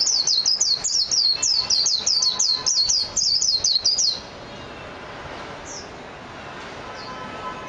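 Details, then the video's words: A Japanese white-eye pours out a fast, even series of high downslurred whistles lasting about four seconds, followed by near silence with a few distant thin notes. "تغريد طائر ابيض العين الياباني ميجيرو"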